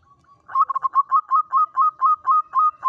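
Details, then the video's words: Local zebra dove singing a lure song in the Mataram pakem rhythm style: a clean, steady series of about eleven short, even-pitched coos, evenly spaced and gradually lengthening. "PANCINGAN SUARA BURUNG PERKUTUT LOKAL ANTI MACET"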